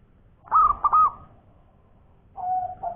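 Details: Local zebra dove in full song, delivering the ngowor koar-koar style: a loud burst of arched, rolling cooing notes followed by a long sustained level coo, then after a pause a lower, steadier hooting tone begins.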